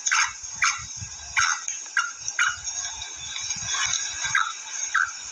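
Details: Short rasping calls from a female black francolin, repeated irregularly and fading toward the end, accompanied by low knocking sounds and a steady high hiss.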